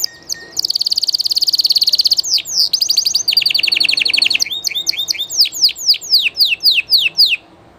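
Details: Llarguet español canary in full song: a brief note, then a long high even trill shifting into fast buzzy rolls, closing with a series of loud sweeping downslurred whistles.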